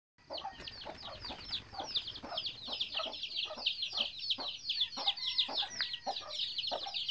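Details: Free-range mother hen with her eleven baby chicks, hatched from eggs laid in the bushes, following her around; a dense chorus of high, thin, downward-sliding peeps runs continuously, with lower short clucks scattered underneath.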